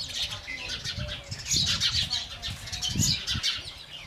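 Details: House sparrow calls: quick, bright chirps tumbling over one another in irregular bursts, with soft low thumps and rustling underneath.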